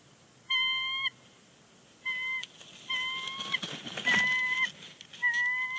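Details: Bald eagle pair at Big Bear Lake, both vocalizing on the nest before leaving, January 30, 2020; bursts of thin, high whistled notes rich in overtones, about five separate calls over six seconds, with faint background noise.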